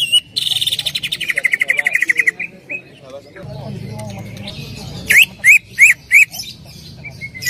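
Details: Prompting song of a greater green leafbird for another leafbird: a fast buzzy rattle of pulses lasting about two seconds, a quieter gap with low murmur, then four loud upward-slurred whistles spaced evenly.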